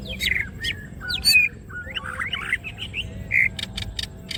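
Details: Greater green leafbird in gacor song with wings spread, masteran material: harsh squawks and warbled slurs mixed with sharp clicks and a few clipped high notes, loud at first, then fading.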